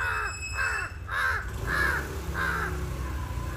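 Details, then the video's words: Crow calling insistently: five harsh caws in quick succession, the last ones slightly fainter, with low rumbling background noise. "Crow calling powerfully n incessantly"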